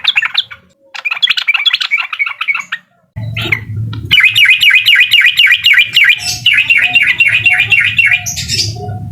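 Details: Sooty-headed bulbul singing in the uklik style to excite a rival: short chattering bursts, then a long, loud stream of rapid repeated rising notes over a low hum.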